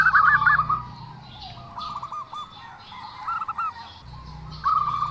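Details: Unusual call of a zebra dove: brief trilled runs of fast, clipped cooing notes, three short phrases spaced by quiet gaps, over a soft low background drone.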